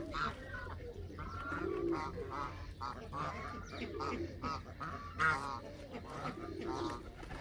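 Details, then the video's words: Canada geese in a flock give repeated harsh honks, a rapid string of short nasal notes overlapping one another, with low rumbling noise beneath. "وز كندي"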